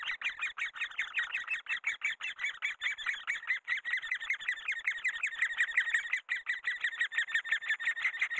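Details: Great spotted woodpeckers raising their young: a continuous, scratchy chatter of rapid notes, nearly three per second, harsh and buzzy, holding steady in loudness throughout with brief dips.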